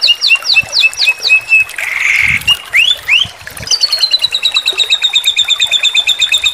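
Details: White-rumped shama, a master-song training recording of three strikes in one breath. Paired high whistles repeat, then a harsh buzzy burst and rising slurs come before a long, rapid, steady trill.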